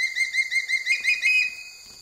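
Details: Evening in Bandipur tiger reserve, Karnataka, a sub-adult changeable hawk-eagle feeding on a killed egret gives rapid, evenly spaced piping whistles that climb slightly and run together before stopping abruptly, in a quiet setting.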